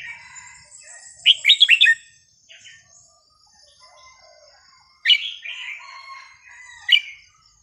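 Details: A red-whiskered bulbul sings a quick, rich burst of four or five fluty whistled notes, then two shorter bright phrases after pauses, over faint background chirps; a varied song played to teach young birds.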